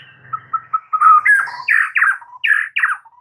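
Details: White-rumped shama song played to prompt a silent bird to start singing: a varied run of clear whistled notes, then louder rich phrases repeated in short bursts about twice per second, ending on a soft low whistle.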